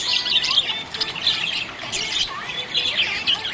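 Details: Budgerigars in a cheerful mood giving a continuous stream of high warbling chatter, bursts of squeaky notes and short harsh squawks overlapping from several birds.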